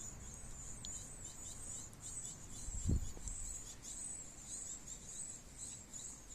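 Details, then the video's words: Great tit feeding its young: a continuous high, shimmering, wavering chorus runs through the whole stretch, broken by a single dull low thump near the middle and faint background rumble. "Great Tit feeding its babies - Tihane toidab poegi"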